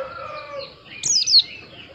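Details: White-eye giving one brief, high, slurred whistled phrase that drops in pitch, preceded by soft, lower sustained tones.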